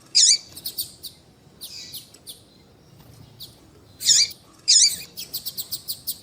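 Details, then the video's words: Double-collared seedeater, male song with female calls used to warm up a male bird kept by breeders for contests; loud harsh chirps alternate with quick trains of short high ticking notes, repeated irregularly. "Esquentar coleiro com Piado de fêmea de coleiro e coleiro tui tui cantando"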